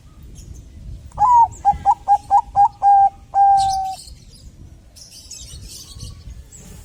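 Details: Bangkok zebra dove, a strong singer used as a lure to make doves sing, giving a rising coo, six short coos and a long steady end note, followed by scattered high chirps from other birds.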